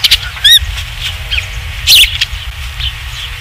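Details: Osprey at the nest on a ranch, 27 July 2016, as a third fish arrives: a few piercing high whistles and a wavering chirp amid loud crackles and low rumbling hum.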